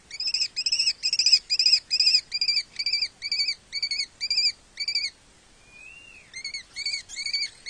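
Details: Lesser kestrels mating at a nest-box colony in Cabañeros National Park, Spain: a fast, harsh chatter of rasping notes, two or three a second, broken by a brief thin rising whistle.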